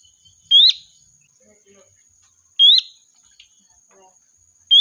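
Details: Lively sooty-headed bulbul calling the flock as a lure: loud upslurred whistles roughly two seconds apart, with a few soft low chirps between and a thin constant whine.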